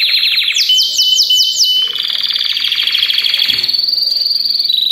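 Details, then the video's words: Belgian canaries singing together to encourage other canaries, especially young birds or adults after molting; a bright series of descending swept notes gives way to a dense, fast buzzy roll held steadily to the end. "BADERNA DE CANÁRIOS BELGA 5 MINUTOS PARA SEU CANÁRIO CANTAR"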